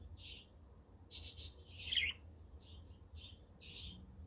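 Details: Budgerigars on a windy, sunny day with a quaker and a conure in the background; short soft chirps spaced out, with one louder rasping squawk in the middle.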